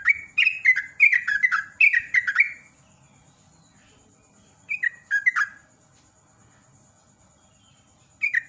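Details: Lure recording of a sooty-headed bulbul singing fast 'ropel' phrases: a dense run of bubbly warbles for over two seconds, a shorter burst near five seconds, and one final note.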